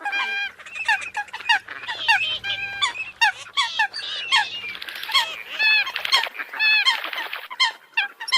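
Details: Eurasian coots calling as a dense flock: many overlapping nasal, honking notes with bright harmonics, some short and clipped, others drawn out and slightly bent, with a low hum underneath for the first half.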